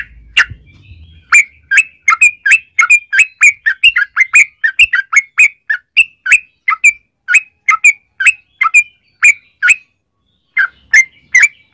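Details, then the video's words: Yellow-vented bulbul lure song in the long 'ropel' style, for prompting other bulbuls to sing. An unbroken stream of chirped, warbling notes, roughly three to four per second, with a short pause near the end. "trucukan gacor ROPEL PANJANG buat pancingan trucukan agar bunyi jadikan burung trucuk gacor EMOSI"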